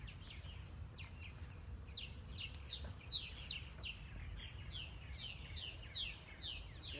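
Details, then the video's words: Purple martins at a white birdhouse in the Missouri Botanical Garden on April 3, 2020, chatter in the background with quick, throaty, down-slurred chirps, several birds overlapping about twice a second, over low wind rumble. "You can hear those purple martins singing in the background probably."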